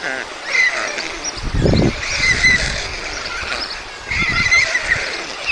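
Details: White stork feeding at a nest with two beaks to fill, Mladé Buky, Czech Republic, 20 June 2022: high squeaky calls rising and falling, two bursts about three seconds apart, with low thumping knocks between them.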